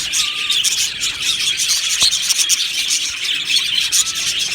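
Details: Happy budgies in a colony aviary keep up a lively high chatter of chirps and trills from many birds, with a brief click around two seconds in.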